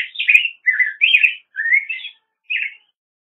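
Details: Black-headed grosbeak giving a continuous, robin-like caroling of rising and falling whistled phrases, ending with a short separate note after a pause.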